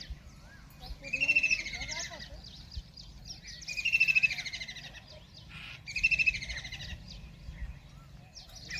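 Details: Kingfisher beside a river in Ranthambore National Park, Rajasthan, after a large fish meal, giving three strident chattering trills spaced about two and a half seconds apart, with faint other bird chirps and low background rumble.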